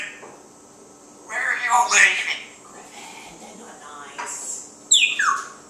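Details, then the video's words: Talking African Grey parrot, one year old, recorded August 13, 2012, while dogs bark in the background; a run of raspy, speech-like syllables mixed with squawky notes, a quiet gap, then a sharp falling squawk. "Griffin the parrot talking"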